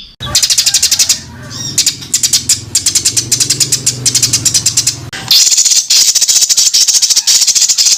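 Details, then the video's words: Songbird master recording for tutoring contest birds: dense, fast, very high rattling trills in long runs, with a low rumbling hum under the first part and a brief break before a harsher trill resumes. "BURUNG MASTERAN FULL ISIAN UNTUK BURUNG LOMBA"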